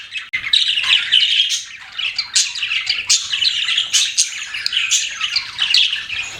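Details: Pet budgerigars keeping up a continuous, bubbly warble of scratchy chirps and high squeaks with sharp clicks mixed in.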